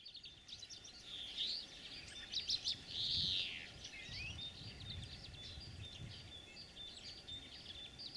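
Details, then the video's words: European greenfinch singing in spring, breeding season: rapid high twittering trills interspersed with a long, drawn-out nasal wheeze near the middle, over faint low background rumble. "Зеленушки. Голоса птиц"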